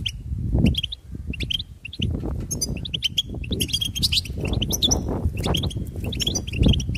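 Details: Goldfinch song starting with scattered chirps, then building into a busy twittering run of high, tinkling notes, accompanied by loud low thuds and rumble.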